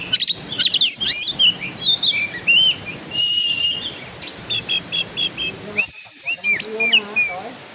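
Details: Oriental magpie-robin, black-and-white kacer from the songbird-keeping hobby, pouring out fast chattering trills, mimic-like buzzy notes and repeated short whistles in rapid succession, a dense, varied and energetic song.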